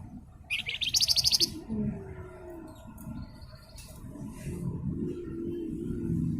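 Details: Javan fulvetta, called flamboyan, singing in a tutoring recording: one short, rapidly pulsed buzzy trill of under a second, then quieter scattered notes over a low rumbling background.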